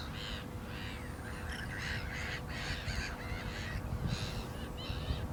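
A black-winged stilt gives harsh, nasal yapping calls, about two each second, over a steady low rumble of wind or distant noise.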